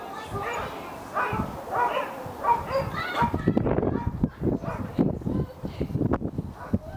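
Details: White-backed vulture held at Eagle Heights, Kent, in August 2019; about three seconds of repeated nasal, wavering squeals, then the calls give way to rough, low, irregular thumping and scuffling noise.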